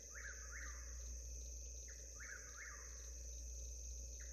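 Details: Whip-poor-will on an Alabama Black Belt homestead gives two full three-part whistled phrases, swooping up and down. A third phrase starts at the end over constant high insect buzzing and a low background hum.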